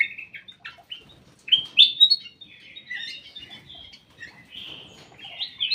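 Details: A ruby-throated bulbul in a private aviary sings short chirps and then sweeping whistled phrases, with some faint fluttering or rustling between the notes.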